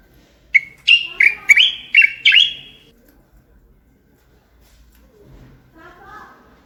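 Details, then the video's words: Moroccan bulbul used as a singing tutor: a quick phrase of five or six clear whistled notes, each sliding up and down, delivered within about two seconds, followed by quiet and a faint softer warble at the end. "البلبل يستمع ليغرد"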